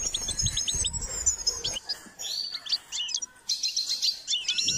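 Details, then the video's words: Goldfinch from a singing training session: bright rippling trills and staccato chirps in uneven phrases, with a brief quiet gap before a final dense twitter. "Step by step enhancing the goldfinch’s singing"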